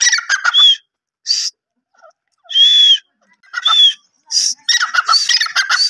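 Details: Grey francolin giving scattered bursts of harsh calls with short whistled notes, separated by silent gaps, then a denser run of phrases at the end.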